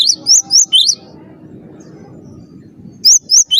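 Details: Master song of a cinereous tit for training cage birds: four sharp, high, upward-sweeping whistled notes in quick succession, a gap filled with low background rumble, then three more notes.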